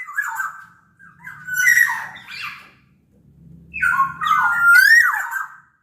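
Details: Sumbawa black-naped oriole song used to coax silent orioles into singing: two bursts of mellow whistled phrases with rising and falling slurs, some raspy edges, and a soft low rumble in the background.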